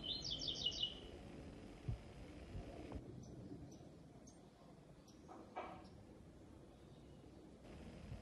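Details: Double-collared seedeater singing in a singing show; opens with one brief, rapid phrase of high, closely repeated notes lasting about a second, then only faint scattered high notes over a steady low background rumble.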